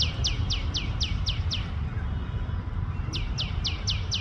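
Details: A tiny tailorbird, apparently in India, gives loud, fast runs of sharp, high chirps, about five per second, in two bursts, with a steady low traffic-like rumble underneath.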